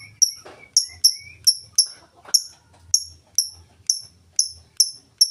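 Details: Lovebird in steady ngetik song without ngekek, used to lure other lovebirds into singing: a dozen bright, very high ticks at fairly even spacing, a couple of brief lower chirps early on, and a light low hum.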